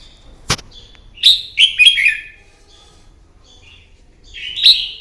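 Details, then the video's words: Red-whiskered bulbul morning fighting song for training a bird: a sharp click, then a run of loud, bubbling whistled notes, a pause, and a final rising warbled phrase. "Kích chào mào bổi hót đấu, luyện giọng chào mào hót đấu buổi sáng kích chim hót đấu căng lửa"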